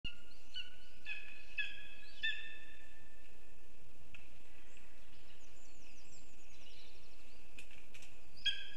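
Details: Lesser spotted eagle (Clanga pomarina) calling, in a clip titled as a gift for the female: a quick run of four or five sharp, yelping calls, then a pause and a single call near the end, over steady background hiss.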